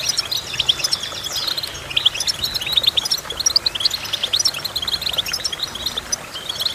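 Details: Goldfinch song: a fast, continuous twittering of short high chirps and trills with brief liquid whistled notes, dense throughout with no pauses, over a faint low background hum.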